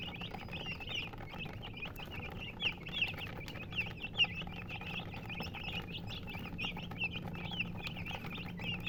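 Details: Chirping from a group of coloured chickens: many thin, high peeps overlapping in a continuous busy chatter, with a few louder notes standing out, over a low constant background hum.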